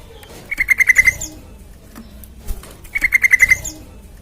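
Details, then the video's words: Sooty-headed bulbul (trucukan) lure song for prompting other birds to sing: a pair of short rattling bursts of about six quick notes, two and a half seconds apart, over a low background hum. "Pancingan TRUCUKAN Gacor Supaya Cepat Bunyi"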